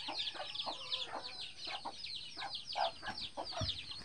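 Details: Free-range hen that hatched eleven chicks in the bushes, the brood following her; high falling peeps from many chicks mixed with a few deeper clucks.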